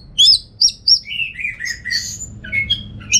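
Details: Caged orange-headed thrush kept at home in Singaraja, North Bali, singing a lively twittering song: sharp high whistled notes, then lower warbled slurs and a run of bright rising phrases, with faint low indoor hum.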